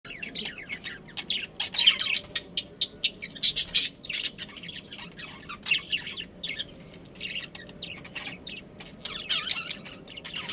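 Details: Budgerigars, a breeding pair and family group of Australian parrots, chirp in short, bright bursts. A loud cluster of rapid chirps comes around the middle, followed by scattered quieter notes and a soft background hum.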